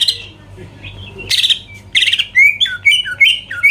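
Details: Greater green leafbird song meant to provoke rivals: starts quiet, then harsh raspy bursts followed by a run of sharp rising and falling whistled notes; low background hum.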